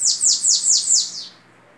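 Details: Bananaquit singing in the 'belga' (Belgian) song style, described as very orderly: five high, thin notes, each sweeping sharply downward, run in quick succession over about a second before fading out.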